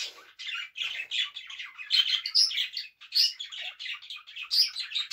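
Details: Indoor pet budgerigar singing and dancing, giving a steady run of chattering, scratchy chirps in quick bursts, with occasional bright squeaks rising above the stream of notes.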